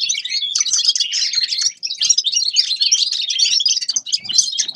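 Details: Grey-crowned goldfinch song: a continuous, high, fast chatter of sweet chirps, trills and buzzy phrases, loud and close.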